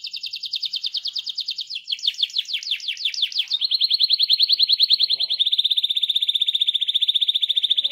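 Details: Canary singing a rolling 'gacor ngerol' song, played to get other canaries singing: high rapid trills that switch from one repeated-note tour to another, ending in a fast, even, steady rolled trill.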